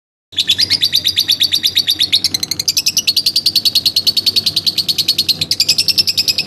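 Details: Domestic lovebird kept at home, singing in a long, fast, steady run of sharp high chirps, close together and evenly spaced for about six seconds, with a faint low hum behind.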